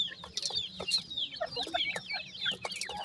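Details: A run of clear, high grey francolin chick peeps, each note a brief downward-sliding whistle, delivered several per second with soft tapping between.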